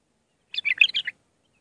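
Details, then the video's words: Iraqi bulbul giving a brief half-second flourish of mellow, gurgling notes, part of raw Mandali-style song for teaching chicks, otherwise quiet. "تغريد بلبل عراقي خام مندلاوي راقي ساعة كاملة التعليم افراخ البلابل"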